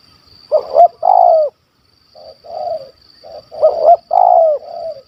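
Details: Wild spotted dove sought by hunters in Malaysia, a loud 'kuk 1 2' stuttering caller, gives two quick upswept stammered notes before a long drawn coo, phrases repeated with a softer cooing between, over a high continuous hiss.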